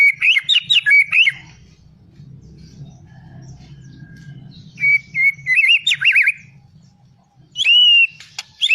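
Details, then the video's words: White-rumped shama giving short bursts of high, jumbled warbling and a clear sustained whistle. Quiet gaps with a low rumbling background separate the phrases. "Suara muray matap"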